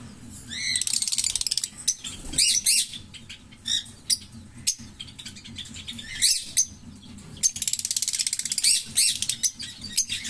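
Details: Green Fischer's lovebird pair singing: two long stretches of rapid buzzy rattling notes separated by squeaky chirps and harsh short bursts, high-pitched and continuous; faint low hum beneath.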